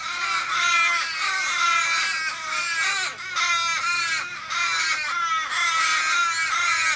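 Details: Australian ravens, fifteen or more, circling a raven struggling on the road after a likely car strike, Kellyville, Sydney, 1 July 2012: continuous overlapping harsh, falling, moaning caws from many birds.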